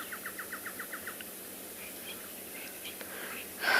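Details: Woodland kingfisher, just landed close by at sunset at Djuma waterhole, Djuma Private Game Reserve, late rainy season with storm and thunder, 20 February 2021, gives a quick, even run of about nine piping notes, then faint distant bird notes and a rustle.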